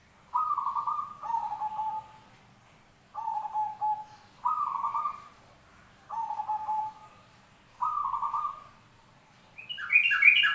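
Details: Zebra dove, from a mix of recordings, singing a series of trilled cooing phrases, each about a second long and falling slightly in pitch, separated by short pauses. A brief, higher chirping call from another bird breaks in at the end.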